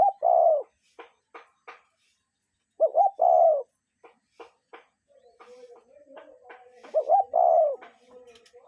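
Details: Wild cuckoo heard in nature: three two-note calls, a short first note and a longer falling second one, with soft clicks between and a faint low hum near the end.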